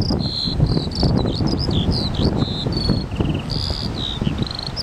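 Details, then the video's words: Eurasian skylark singing: a continuous run of high whistled notes, some steady and some quick slurred trills, over strong wind rumble. "Skylark singing"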